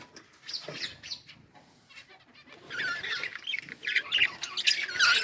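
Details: Quiet scattered budgie tweets at first, swelling after halfway into loud, rapid overlapping chirps and twittering warbles from several birds.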